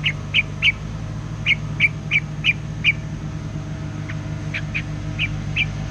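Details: White-plumaged streaked spiderhunter used as a lure bird, calling nonstop in the forest: short sharp chips repeated about three per second in uneven bursts, a brief pause, then more, over a steady low hum and a faint high whine.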